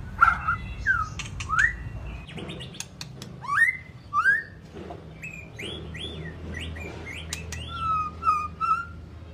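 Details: White-rumped shama song of varied whistled phrases: upslurred and downslurred notes, short clicks, and a closing series of three clear whistles, fairly quiet over low hum.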